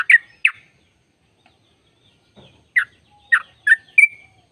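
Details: Sooty-headed bulbul singing to draw song from other bulbuls. Two bubbly notes open, then a pause, then several quick slurred notes and a short whistle near the end. A faint low thump in between.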